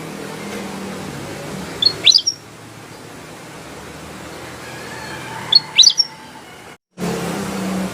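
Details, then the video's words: A black-headed bulbul in full song gives two brisk, clear whistled phrases of a few sharp up-and-down notes, spaced about three and a half seconds apart, against low rumbling background noise. "Suara burung kutilang emas gacor"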